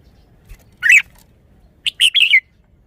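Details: Caged red-whiskered bulbul performing its song phrasing. A single rising whistled note comes first, then after a short pause a rapid run of three to four warbled notes that fall away at the end.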